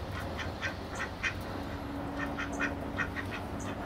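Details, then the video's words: Ducks fighting, recorded on a Panasonic SD9 camcorder: a run of short, harsh quacks repeated roughly every quarter to half second over a steady low hum, with a faint tonal drone in the background. "THE DUCK FIGHT"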